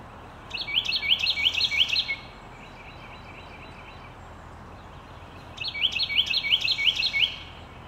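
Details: Carolina wren sings two loud, ringing bursts of quickly repeated high phrases, about seven per burst, several seconds apart, over a steady background hiss.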